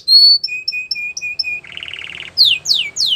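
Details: Canary training song in clean sequence: a high sustained whistle, a row of short even piping notes, a buzzy rattling roll, then steep repeated downslurred sweeps.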